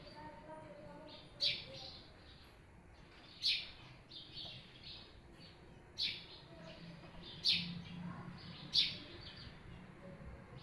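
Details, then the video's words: Birds chirping at their hut: five sharp, high chirps spaced roughly one to two and a half seconds apart over a faint steady background hiss. "Birds Chirping at their beautiful hut"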